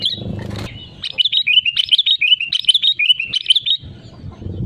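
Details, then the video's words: Lively sooty-headed bulbul singing, used as a lure to set other bulbuls singing: a continuous run of chirpy, bubbling warbled notes lasting about three seconds, with low rumbling noise before and after. "BURUNG KUTILANG GACOR SUARA ASLI PALING AMPUH UNTUK PANCINGAN AGAR IKUT BUNYI GACOR"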